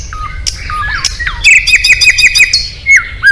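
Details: Oriental magpie-robin competition bird singing its isian fill-in repertoire: varied clear whistles and slurred notes, then a fast run of sharp repeated chips over a steady buzzy tone, ending in downslurred whistles. Low background rumble.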